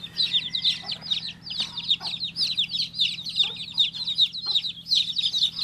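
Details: Baby chick chirping in a busy stream of sharp, descending peeps, a few soft knocks or taps heard between them, low hum in the background.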